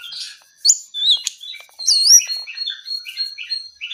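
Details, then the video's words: Song of a brown-eared bulbul, persistent and lively: a jumble of high whistled slurs, rising and falling swoops and short chirps following closely one after another, with fainter trailing notes toward the end. "KICAU JONGKANGAN COKLAT GACOR TELER"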